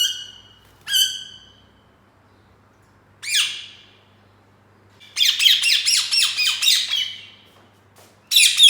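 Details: Caged green ringneck parrot making chirping sounds while starting to talk: harsh, buzzy high chirps, two short ones near the start, one alone, then a fast run of rasping notes and a final burst, in a quiet room.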